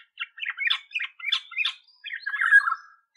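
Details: Olive-backed Oriole chattering with quick, harsh, scratchy notes that end in a drawn-out, slurred, descending warble.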